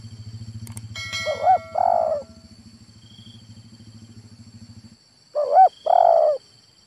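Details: Male spotted dove calling, two coo phrases about four seconds apart, each a quick wavering double note followed by a long burry coo; low engine-like rumble and a click fill the first five seconds.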